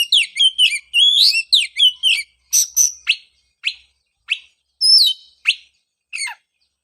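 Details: Oriental magpie-robin singing to stir a kept bird back into song after its moult, with a fast jumble of sweet whistled phrases, then spaced single sharp notes and a falling whistle at the end.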